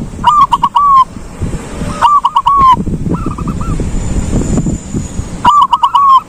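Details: Ngalung song of a silver zebra dove: three loud phrases of rapid broken coos ending in sustained coos, with a softer neighbouring dove calling between them over low rumble.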